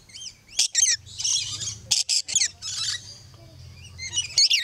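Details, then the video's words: Yellow-streaked lory, a captive parrot at Lion Country Safari in South Florida, giving harsh, high squawks and chattering bursts in quick clusters, with brief pauses between them. "Yellow Streaked Lory Singing"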